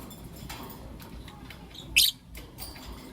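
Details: Lovebirds, blue opaline and lutino opaline, in the morning: a single loud, sharp, high chirp rises abruptly midway, with faint scattered high ticks and a steady low background hum.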